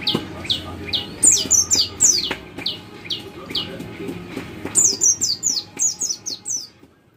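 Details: Rapid high-pitched white-eye chirps, each a quick downward slur, given singly and in short clusters, used as a lure to set other white-eyes singing; low background hum and occasional clicks.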